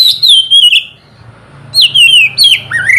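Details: Morning ngeplong song of an oriental magpie-robin, played to coax lazy birds into singing: two bursts of clear, falling whistles with a short pause between, ending on a lower rising note.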